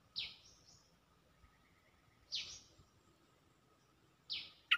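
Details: Cream-vented bulbul giving a mating call to attract a mate: short, sharp descending notes repeated about every two seconds, with a faint steady hum beneath.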